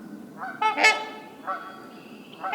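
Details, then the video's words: Trumpeter Swan giving deep, nasal, horn-like honks: a loud blaring note near the start, then two softer honks in under three seconds. Its call is lower pitched and more honking than the Tundra Swan's. "And here's the call of the Trumpeter Swan."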